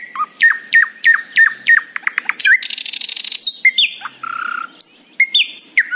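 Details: Morning song of a nightingale: a row of loud downslurred notes, a rapid ticking run, then a harsh buzzy rattle followed by varied whistled phrases at changing pitches.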